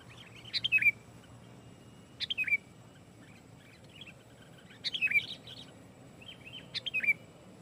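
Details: Sooty-headed bulbul singing loudly and densely, a lure song meant to press rivals and set other bulbuls singing. Short bubbly whistled phrases of three or four quick notes repeat roughly every two seconds, with quiet low rumble behind.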